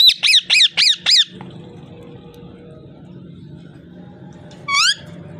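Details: Five rapid harsh squawks from a parrot, then a quiet stretch with faint tones, ending in one rising, buzzy whistled call.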